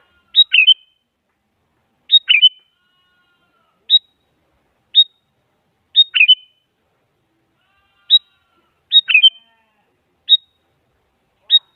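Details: Sooty-headed bulbul, a female calling a male, used as a lure to draw a reply from a silent bulbul; short, sharp chirped notes in single bursts or quick double and triple clusters, spaced about one to two seconds apart over a quiet background.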